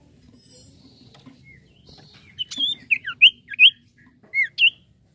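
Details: Common iora singing to stimulate other birds: a short series of sharp, swooping whistles, some rising and some falling, delivered in an uneven burst over about two seconds after a near-silent start.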